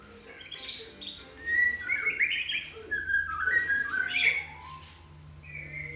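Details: White-rumped shama kept on a terrace, singing a varied run of whistled and chattering phrases with rising and falling notes, loudest in the middle, over a low steady hum.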